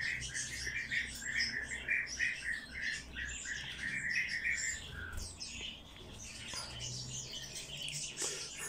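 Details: Bird chick being hand-fed, giving rapid, insistent chirping begging calls in bursts, repeated roughly three times a second, then quieter as feeding proceeds; handling noises alongside.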